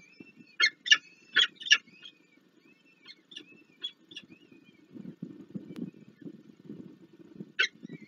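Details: Adult peregrine falcons deliver food and feed chicks at a Warsaw nest, Poland, 26 April 2024: a burst of four harsh grating calls, faint high squeaks, a stretch of rustling and scuffling, then one more rasping call.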